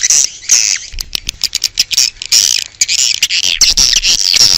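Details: Outdoor swiftlet calls used to draw swiftlets in: a dense run of sharp, high chirps and buzzy trills, overlapping almost without pause.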